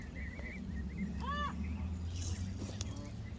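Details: Lakeside Canada geese, social birds seen feeding on grass or resting. A single loud, curved, strongly harmonic honk sounds midway, preceded by quick high chirping notes from another bird, over a constant low background rumble.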